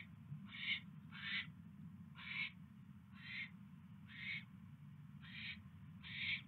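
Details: Owl at the nest during evening mouse deliveries on 29 January 2016, around 8 PM; seven harsh, raspy hissing screeches, each under half a second, come at roughly one-second intervals over a steady low hum.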